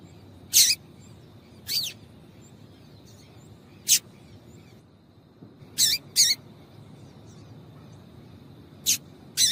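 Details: A female double-collared seedeater gives calls meant to make the male sing: seven brief high-pitched chip notes at irregular spacing, some in quick pairs, against low background hiss.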